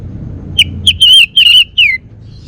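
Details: Home-kept male orange-headed thrush from Bali, Singaraja, delivering a brief run of clear whistled notes, some wavering, the last one sliding downward.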